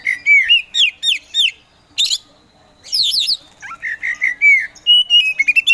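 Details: Oriental magpie-robin (kacer poci) in vigorous song, a contest songbird used to provoke sluggish birds into singing: loud, varied whistled phrases, rising and falling slurs and sharp upswept notes, with a short pause midway before a steady whistled trill.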